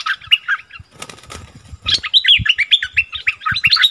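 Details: Fierce dispute between wild striated bulbuls, 8 February 2021. Chattering notes, then a burst of wing-flapping, then a fast run of clear whistled, warbling notes rising and falling.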